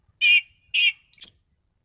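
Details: Orange-headed thrush (anis cendana) kept as a contest bird, in gacor mapan form. Three separate harsh, rich chattering notes about half a second apart. The last one is thinner and slides upward. Nothing else is heard.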